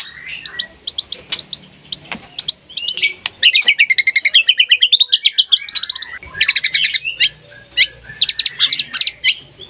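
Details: White-rumped shama in breeding condition, singing vigorously to call a rival: a dense, varied run of sharp high whistles and chattering trills, rapid clipped notes and repeated bursts, loud and continuous with brief pauses.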